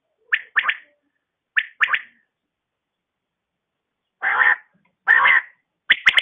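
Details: A female quail calls in the morning with short clicky double and triple notes, then two longer harsh rasping bursts, followed by a final quick pair of sharp notes.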